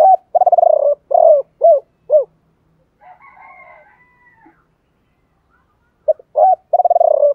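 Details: Spotted dove decoy cooing in the 'three-ending' style with a 'thổ pha' voice, used to lure wild doves: rapid bubbling pulsed coos followed by separate rounded notes, then a quiet gap and another pulsed series.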